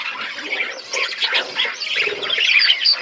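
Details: Aviary budgerigars amid forest surroundings keep up a steady stream of chirps and rapid warbled notes from several birds at once, the chatter growing slightly louder toward the end.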